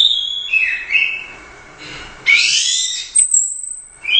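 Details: Competition orange-headed thrush, Royal Cup winner, with gacor teler doyong singing. Slurred whistled notes dip and rise, then after a quiet gap comes a loud sweeping buzzy whistle and brief high notes.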